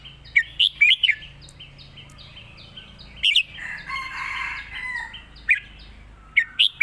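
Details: Red-whiskered bulbul competition master song: rapid clusters of loud, ringing, warbled notes, over a regular series of soft ticking calls and a chorus of twittering birds in the background.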